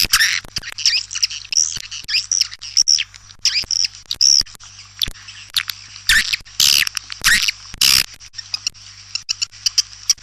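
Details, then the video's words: White-nest swiftlet attraction call: high, squeaky upswept chirps and twittering with scattered sharp clicks, a few loud broadband rasping bursts near the end, over a low hum. "Suara Panggil burung walet"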